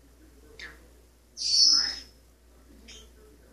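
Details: Male pet Maximilian's pionus parrot, perched on a kitchen sink faucet, singing and practising scales: a short chirp, then a loud, shrill, rasping note of about half a second, followed by a faint brief chirp, in a quiet room.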